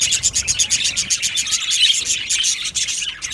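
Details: Budgerigar colony in an aviary, many birds chattering at once: a dense, continuous wash of high, scratchy chirps and warbles with rapid pulsing and no pauses.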